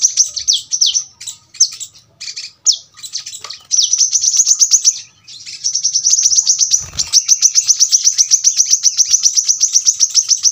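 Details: Kolibri kelapa, the brown-throated sunbird, opens with scattered high notes and downslurred whistles. It then breaks into long, tight runs of rapid-fire piercing ticks in tembakan rapat style, with a brief soft thud in the middle.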